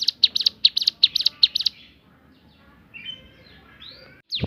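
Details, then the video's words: Javan sunbird shooting-variation song: a quick run of sharp, high chirps for almost two seconds, then quiet with faint thin whistles, and a loud note at the very end. "ciblek gunung bunyi fariasi tembakan"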